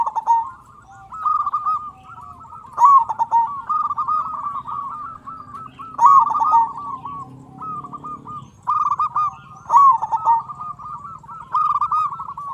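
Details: Vigorous big-voiced local zebra dove from Indonesia, played to provoke other zebra doves to call and raise their mating drive. Long chains of quick, clipped coos at an even pitch, with strong bursts roughly every three seconds and short gaps between.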